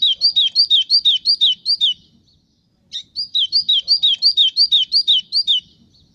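A White-throated Seedeater sings two bright, high phrases, each a quick run of about ten looping, slurred notes, separated by a short pause. No other sounds intrude.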